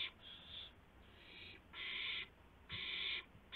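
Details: Owl at night, 2:51 AM, 2 April 2016, during a gopher handover to its mate; a softer, quieter rasp first, then two loud hoarse screeches, followed by the start of another.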